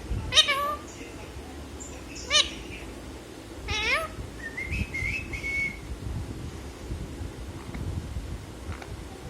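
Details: Talking parrot mimicking a cat: three cat-like meows, each sliding downward, about two seconds apart, followed by a short rising whistled note and a thinner tail, with a low indoor hum beneath.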